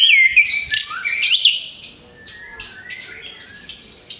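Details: Orange-headed thrush after moulting delivers a fast jumble of sharp chirps and twisting whistles, followed by spaced buzzy notes and thin slurred whistles, roughly one note per second toward the end.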